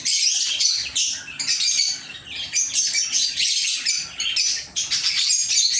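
Lovebirds chirping nonstop, a dense chorus of shrill, high squeaks and twitters overlapping with barely a pause.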